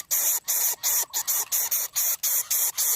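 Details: Three Greater coucal chicks in their nest begging from a parent, so greedy the mother is overwhelmed and angry: loud harsh hissing bursts, each about a third of a second, repeated in quick succession with brief gaps.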